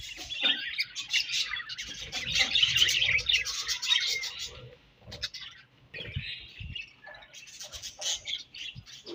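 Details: Morning chirping from a colony of budgerigars, a continuous busy chatter of high warbles and squeaks from many birds, loudest early on, then fading and returning in bursts.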